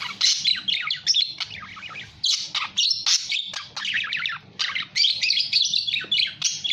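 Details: Budgerigar chatter, nonstop scratchy warbling with harsh squawks and quick chirps, hardly pausing throughout, over a faint steady low hum.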